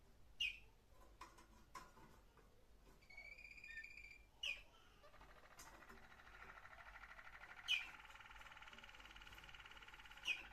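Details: Waterslager (Malinois) canary recorded on 21 December 2025, singing quietly: a few soft, level whistled tones, then a long, low, rolling water-like trill, with sharp clicking taps every few seconds and a faint hum.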